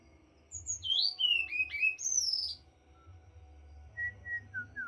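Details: White-rumped shama (morae) pours out loud, looping whistled phrases that swoop up and down in rich, varied notes. A few soft, lower whistles follow, over a constant low hum.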